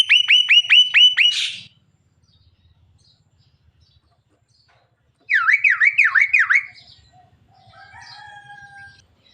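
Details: Javan myna talking until it coughs: a rapid run of sharp, high stacked chirps, a harsh burst, then a series of wavy, siren-like looping notes and faint whistled tones.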